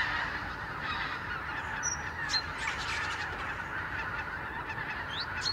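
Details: A huge morning flight of geese returning from their roosts to the grassland of the Lower Rhine gives a constant wash of honking, broken by a few clear, thin rising yelps.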